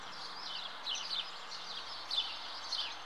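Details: House martins at their nest give brief, high twittering chirps in small bursts, scattered across a few seconds against a soft steady background hiss.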